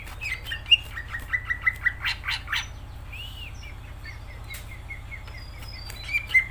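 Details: Greater green leafbird in energetic gacor singing, a tutor recording for pet birds: quick chirps building into rapid buzzy bursts, a lone arched whistle, then scattered sharp notes, with a constant low hum underneath.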